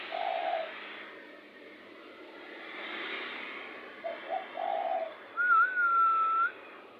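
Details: Spotted dove used as a lure bird, giving short low coos at the start and again after four seconds, with a long thin whistle near the end over steady background hiss.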